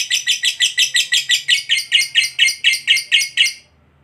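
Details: Lovebird giving a long trill that prompts other lovebirds to sing: a run of about fifteen harsh, buzzy chirps repeated roughly every quarter second, stopping abruptly before a short quiet end.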